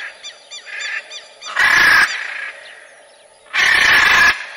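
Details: Short, clipped raspy notes open the sequence, then two long, loud, grating macaw screeches roughly two seconds apart.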